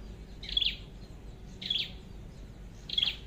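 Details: Flowerpecker, called chim sâu đầu đỏ, heard while being trapped with a decoy: three bright, high-pitched clipped notes, evenly spaced about a second apart, with faint low rumble beneath.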